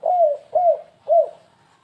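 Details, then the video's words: Three clear, mellow coos from a spotted dove, each a falling note about half a second apart, in the 'kuk3 gagap' style used for luring. "suara pemikat burung tekukur kuk3 gagap"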